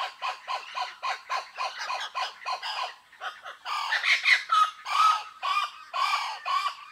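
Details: Blue-winged kookaburra in the woodlands of Kakadu and Arnhem Land, Australia, giving harsh, raucous, angry-sounding squawks in rapid bursts of about two a second, rising into louder cackling notes partway through.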